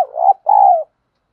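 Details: Spotted dove giving a lure coo in the thổ đồng voice style, used to prompt newly caught birds to coo: two soft, hollow, mid-pitched notes, the first rising and the second longer and gently falling, then silence.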